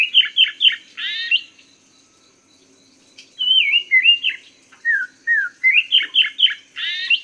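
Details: Chinese hwamei song used as a master recording for teaching cage birds: quick trios of repeated slurred whistles, a pause, then long rising-and-falling fluting notes and another run of rapid repeated phrases, with a faint steady high hum behind.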